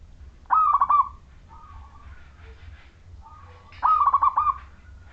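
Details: Majapahit-style local zebra dove in full song, with a clear voice meant to lure other doves into singing. Two rolling, bubbling coo phrases are separated by softer, quieter cooing notes in between.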